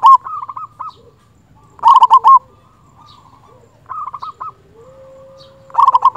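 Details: Loud, agitated local zebra dove song meant to call a rival: rhythmic cooing phrases of quick repeated notes recurring about every two seconds, with softer trailing coos and a faint steady low tone in the background.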